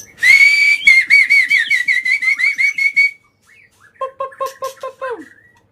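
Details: Agitated white-rumped shama singing non-stop, used to provoke other birds: a held bright whistle, then a fast run of about a dozen repeated wavering whistled notes. After a pause come lower, clipped paired notes ending in a falling slur.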